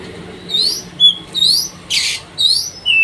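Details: Oriental magpie-robin (kacer) pacingan song, meant to rile up other birds: loud, clear whistled notes sweeping upward around the upper register, repeated roughly every half second, with a short harsh rasping burst midway.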